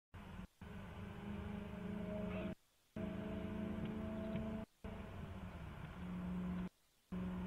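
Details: Steady low engine-like hum with sustained tones near the bottom of the range, broken by three short drops to near silence.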